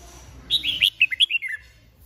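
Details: A Hoà Bình red-whiskered bulbul, wild-origin and over two seasons old, delivers one quick phrase of about eight clear, bouncing whistled notes that step downward at the end. A low background hum runs underneath.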